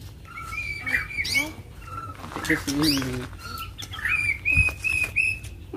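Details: White-rumped shama fighting, provoked into agitated singing: clear whistled notes near the same pitch held and repeated, mixed with sharp clicks and rasping bursts, some human voice and low background hum.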